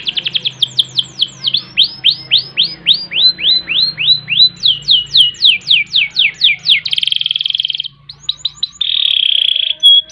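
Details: Singing caged canary, a long rolling song meant as a master recording: series of sweeping downward-slurred notes repeated rapidly at changing speeds, broken by dense buzzy trills and steady high rolls, with a faint low hum beneath.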